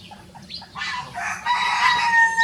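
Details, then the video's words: Rosecomb bantam rooster, a free-ranging show bird, crowing; a rough harsh onset swells into a long, steady, harmonic-rich crow held to the end, with faint short notes before it. "The Smallest Breed of Rooster Crowing Duet"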